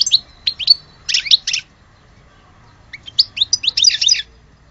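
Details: Algerian European goldfinch giving two short bursts of high twittering chirps separated by a second of quiet.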